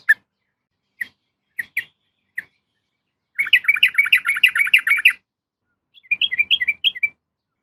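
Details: Four spaced single chirps come from a female yellow-vented bulbul calling a male. They lead into a long, rapid, warbling chatter, followed by a softer run of lilting notes.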